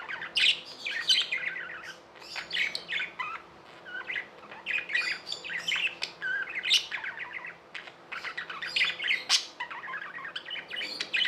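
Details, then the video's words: Tamed budgies keep up continuous chirping chatter, rapid twittering phrases mixed with buzzy notes and sudden sharp high clicks over more than ten seconds. "Budgies | Talking | Singing | Chirping sounds"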